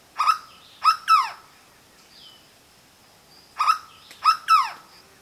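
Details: Two Hooded Berryeaters singing in a tree overhead in Santa Catarina Atlantic Forest on a sunny morning give loud, ringing three-note phrases, two quick notes then a longer falling one, repeated twice, with another bird's faint thin whistle between.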